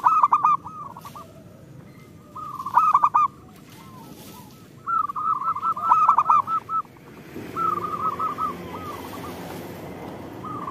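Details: Local zebra dove song used to prompt reluctant zebra doves into singing: quick strings of rounded cooing notes come in bursts separated by quieter pauses, with a steady low background murmur.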